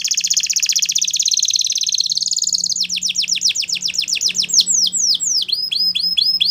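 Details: Canary song meant to train young canaries: a long dense rolling trill at high pitch, then a series of fast falling whistled notes repeated several times a second, closing with sharper chipped swoops.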